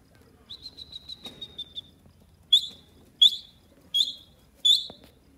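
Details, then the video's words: Baby grey francolins (desi teetar) playing near a parent; a thin, level high whistle held for about a second and a half, then four sharp high chirps, each sliding downward, repeated at steady intervals. "desi teetar bird playing,pheasant dasi teetar bird baby"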